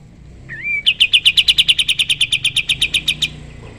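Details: Sooty-headed bulbul in active song, recorded to teach other songbirds: a brief wavering whistle, then a fast, evenly pulsed dry trill of roughly twenty notes over two and a half seconds.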